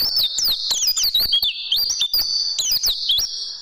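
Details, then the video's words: Oriental white-eye song from a tutoring recording made to train caged birds. Rapid high twittering with slurred whistled notes sweeping up and down, delivered almost without pause through the whole passage. "Masteran Burung Pleci"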